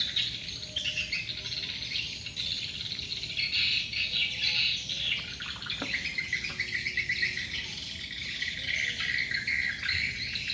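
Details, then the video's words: Swiftlet lure call used to draw birds in, with many swiftlets still gathering; a continuous wash of high, rapid chirps and twitters, steady throughout, with a faint sharp click midway. "Suara Burung Walet, Download Suara Panggil Walet"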